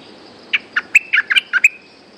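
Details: Resident wild bulbul responding right after a lure bird's cage is hung: a lively run of seven or eight short, clear chirps and warbled notes in about one and a quarter seconds, over faint background hiss.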